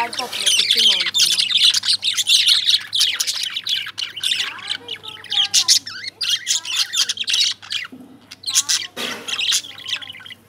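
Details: Lovebirds squawk and chirp in a harsh, high chatter, loud at first then broken into short bursts with brief gaps, a faint voice murmuring underneath near the end.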